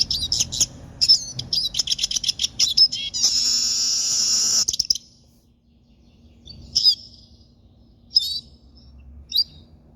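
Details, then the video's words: Siskin song, kept as a pet: rapid high twittering notes and a long buzzy wheeze lasting about a second and a half, then silence broken by a few short separate chirps. "canto do pintassilgo, siskin"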